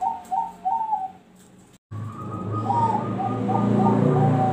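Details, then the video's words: Zebra dove singing in the noklak nekung style: a few soft, mid-pitched coos open the recording, then a steadier low murmur of cooing under background noise. "SUARA PERKUTUT NOKLAK NEKUNG"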